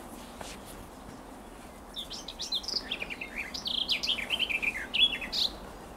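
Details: Bird singing in a tree on 12 June 2023: after two quiet seconds, a lively series of quick high descending chirps and slurred whistles, ending in a clear sharper note, over faint background hiss.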